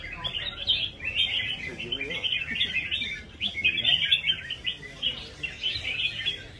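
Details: Red-whiskered bulbul showing a rhythmic competing style: a dense run of bright, bubbly chirped phrases, steady and unbroken for the whole stretch, with faint low background sounds underneath.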